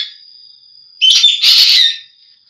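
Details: A single green magpie call: a brief squeaky whistled note runs straight into a loud, rough, buzzy rasp lasting about a second, against a constant faint high-pitched tone.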